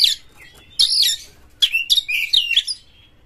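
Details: Shrill prompting song of a white-rumped shama, or kacer, used to get other shamas singing: dense high scratchy bursts and twittering phrases in three short groups.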